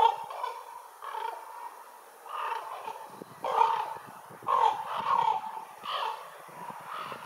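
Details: Ravens with a run of rough, throaty croaks, some short and clipped, others drawn out, coming in irregular bursts over several seconds against a faint hiss.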